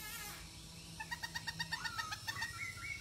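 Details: Masked laughingthrush in full, active song, played to coax silent birds into singing: a rapid run of short, evenly spaced chirping notes over steady background hiss and a low hum.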